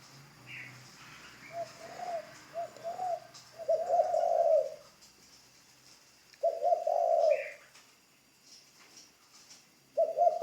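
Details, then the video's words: A spotted dove trained as a new ground decoy repeats low coo phrases: short notes build into long, throaty coos, with pauses between phrases. Occasional high chirps come from another bird. "Tiếng chim cu gáy mồi đất"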